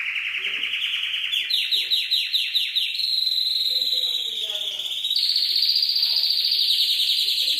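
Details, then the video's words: Canary song from a champion tutoring recording mixed with calming water sounds: quick rising notes repeated in a series, then smooth sustained high rolls that step upward, with faint lower chirping underneath. "Suara Burung Kenari"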